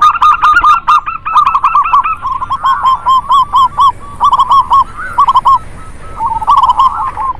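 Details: Several local zebra doves calling together as a lure for doves slow to sing: overlapping runs of short, bouncing coo notes that come in quick bursts and pauses, with one bird sometimes cutting across another.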